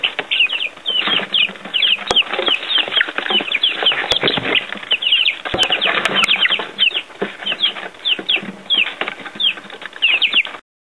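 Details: Baby chicks first time outside, pecking at earthworms; an ongoing chorus of high, squeaky peeps with sharp clicks and scratching, ending abruptly in silence.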